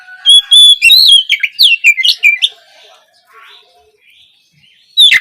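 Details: Oriental magpie-robin song, played as a morning prompt to get young spotted birds singing: loud, varied phrases of clear whistles and sharp, slurred chirps in a fast burst, then near silence, and a final sharp note.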